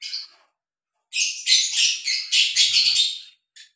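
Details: Breeding pair of lovebirds: harsh, high, rasping chatter in a dense run of scratchy notes lasting about two seconds after a short opening squeak, otherwise quiet.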